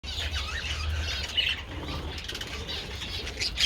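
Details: Several budgerigars eating treats outdoors in the sun on 27 February, giving a busy, continuous warbling chatter of scratchy high notes, with a low wind-like rumble underneath and soft flutters.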